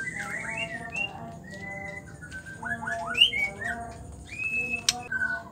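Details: Quieter song of a female white-rumped shama, used to provoke males to sing: drawn-out whistles, a quick series of three down-slurred notes, and a sharp click, over a noisy, humming background.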